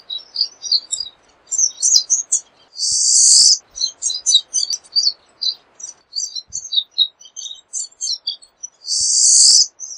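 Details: Pine siskin song: a long, jumbled run of high twittering notes broken twice by loud, harsh buzzy bursts, one near three seconds and another near nine seconds, with faint low hiss underneath.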